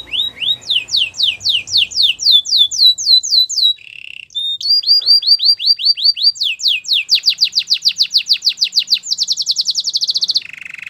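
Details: Canary training song of varied tours: rising whistled slides, a short buzzy roll, fast repeated sweeps quickening into a dense trill, ending in a low buzzy note.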